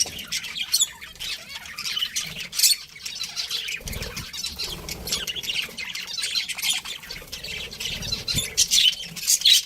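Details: Pet budgerigars of a breeding pair chirping at a lower level, irregular high twittering with sharper chirp spikes scattered throughout and faint low thumps.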